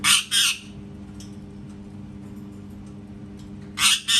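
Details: Parrot letting out harsh doubled squawks at the start and end, separated by a few seconds of quiet room hum.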